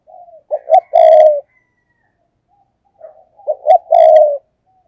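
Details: Spotted dove used as a decoy to lure wild doves, giving the thúc gù cooing style: two phrases about three seconds apart, each two short hooting notes then one long, steady, drawn-out coo, in clean silence.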